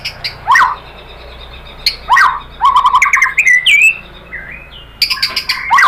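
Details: White-rumped shama song played as a lure for other shamas to answer: varied whistles and quick falling notes, a fast stuttered run mid-clip, rising slurs, with brief sharp clicks.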